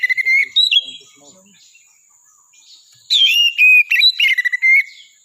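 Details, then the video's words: Oriental magpie-robin singing energetically: clear whistled phrases rising and falling, then a long rapid run of varied sweet notes and trills after a short quiet gap. "KACER GACOR"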